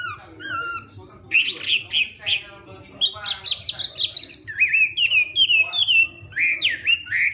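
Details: Morning practice song of a Hwamei: low slurred whistles opening, then harsh buzzy notes, rising into loud clear repeated whistled phrases and falling slurs, varied and vigorous.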